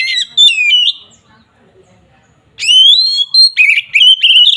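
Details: Oriental magpie-robin (kacer) singing an agitated fighting-style ngeplong song meant to provoke rivals: loud whistled phrases with sliding notes and overtones, a short burst then a pause, then rapid varied whistles and chirps.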